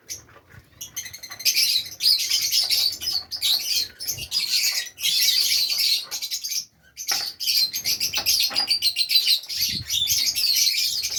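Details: Fischer's lovebirds kept in Safi, Morocco, with nests, chatter shrilly and almost constantly for eleven seconds, with one short gap near the middle.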